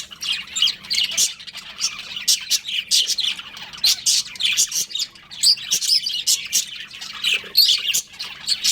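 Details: Pet budgerigars of a breeding pair keep up steady chatter, scratchy chirps and squawks overlapping in quick succession throughout, over a faint low hum.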